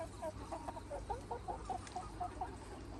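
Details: Free-range Red Mía chickens, a rooster flock with hens, on a farm: a steady run of short, mid-pitched clucks, about four a second, with a low steady hum underneath.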